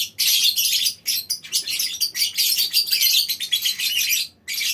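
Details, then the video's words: A group of lovebirds in a mini aviary chattering continuously in the long ngekek style: harsh, high, rapid-fire squeaks forming a near-unbroken stream for about four seconds, ending with a brief pause. "Suara Lovebird Koloni Bikin Burung Lain Ikut Ngekek Panjang"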